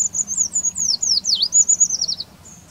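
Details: A Eurasian treecreeper in the Wittlicher Tal, Germany, gives a very high, thin, wavering series of notes lasting about two seconds, then a brief high note after a pause. A faint low hum sits underneath.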